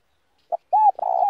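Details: A spotted dove gives a slow 'giọng đồng' style coo, used to stir other doves into calling. A brief clipped note comes first, then an arched coo, then a long sustained note at steady mid pitch.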